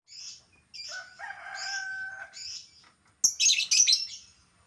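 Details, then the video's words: Albino lovebird, a caged pet bird, giving sharp high chirps and squeaky notes, some with steady lower whistled tones, ending in a loud harsh chattering burst. "burung lovebird albino yang jadi primadona"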